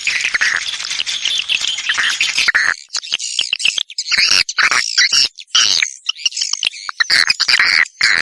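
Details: Swiftlets' lure call used to draw the birds in: harsh squeaky chattering notes in clustered bursts, with sharp gaps near three and four seconds, and a thin whistle running above.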